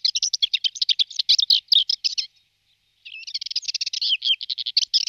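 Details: A male Subalpine Warbler feeding on aphids in Malta during migration gives a fast, scratchy, high chatter of dry notes in two bursts of about two seconds each, separated by a short pause.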